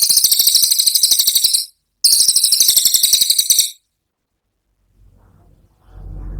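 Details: Two fast, piercing, high rattling trills from a brown cililin in 'tembakan' style, a short gap between them, followed by silence and then low muffled background noise.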